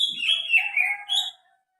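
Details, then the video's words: Greater green leafbird with a strange call: one drawn-out slurred phrase sliding downward, a lower buzzy note underneath, ending with a brief rising chirp. "SUARA ANEH BURUNG CUCAK HIJAU"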